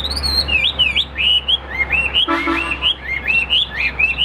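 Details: Hwamei in a caged fighting display, tail fanned, singing clear loud whistled phrases of looping rising and falling slurs in quick succession, with a steady low hum underneath.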